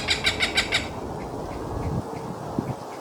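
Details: A Cooper's hawk in a city gives a fast burst of five harsh, nasal kak notes in under a second. Fainter single notes follow over a low rumble of urban background noise.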